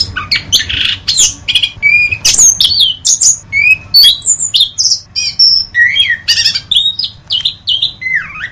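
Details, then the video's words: Masteran tutor recording of an orange-headed thrush: an energetic, mimic-like jumble of whistles, harsh rasps, high pure tones and chattering notes, packed densely across the whole stretch. "Masteran Anis Kembang"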